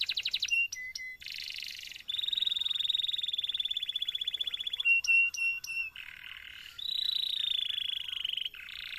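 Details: Canary tutor song meant to prompt other canaries: fast buzzy rolls, a long even trill lasting several seconds, a few sharp chips, then more rapid rolling trills.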